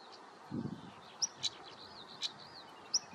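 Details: European stonechat (Saxicola rubicola) calling at Spiere, Belgium, on 1 July 2024: short, sharp high single notes spaced under a second apart over a soft outdoor hiss with one low thump.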